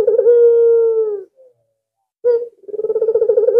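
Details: Albino ringneck dove, a frequent caller used as a lure bird, holds a long level coo, stops, then starts again with a short note and a throbbing rolled purr.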